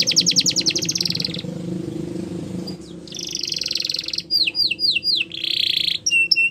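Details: Singing canary with bursts of dense buzzy trills separated by short pauses, then a series of sharp downslurred notes and a final steady trill over a low background hum.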